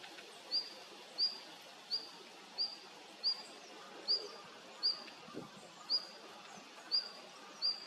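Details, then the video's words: A female red-flanked bluetail calls with brief, high-pitched upslurred notes, each repeated at roughly 0.7-second intervals; a low thud near the middle and steady faint background noise. "ルリビタキ鳴き声Tarsiger cyanurus sound♀"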